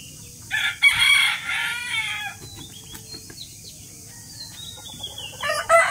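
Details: Morning crowing of a rooster, a loud, rasping, drawn-out cock-a-doodle-doo of nearly two seconds, followed by quiet with faint distant chirps, then another crow beginning as the recording ends.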